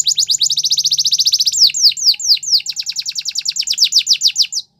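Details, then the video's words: Yellow canary singing in the morning: a very fast rattling trill of short repeated notes, shifting into slower rhythmic downslurred whistles repeated steadily. "Yellow Canary Singing In The Morning"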